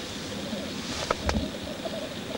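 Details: Courtship lek of black grouse males, an even low bubbling coo rolling continuously, broken by two sharp clicking, hissing bursts just after one second.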